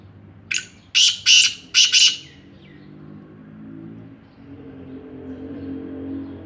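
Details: Black francolin (Sindhi kala teetar) calling: one short harsh note followed by three loud rasping, grating bursts in quick succession, then quiet with a low rumbling hum like a distant vehicle.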